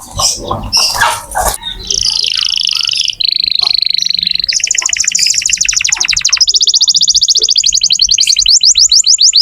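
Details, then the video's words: Canary song meant to get young or silent canaries singing. A scratchy noisy start gives way to a sequence of steady rolled trills stepping down and then up in pitch. "Kenari gacor untuk pancingan kenari muda atau macet bunyi"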